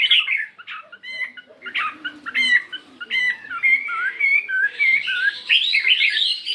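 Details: A fighting Chinese hwamei, 72 grams, singing during morning practice. Broken, chattery whistles and clicks build into a faster, higher warbling run.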